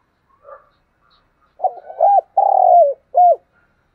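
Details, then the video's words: Spotted dove cooing in the Vietnamese 'thúc gù' style: after a faint soft note, a stuttered low phrase, a long even hoarse coo that falls at the end, then one short arched note. The background is quiet. "cu gáy thúc gù, Cu gáy giọng đồng hay"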